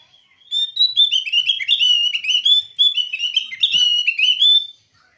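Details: Javan grey-throated white-eye (Heleia javanica), call: calling out to a rival.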